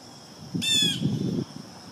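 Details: Single loud, nasal, harmonic blue jay call lasting under half a second, from a bird eating peanut suet, with low rumbling noise and rustling underneath.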